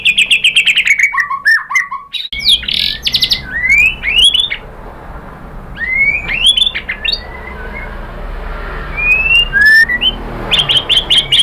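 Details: White-rumped shama in varied song, aimed at spurring other birds to sing: it starts with a quick high rattle, then scattered rising and falling whistles, squeaky phrases and clipped chips, and ends in a rapid high trill.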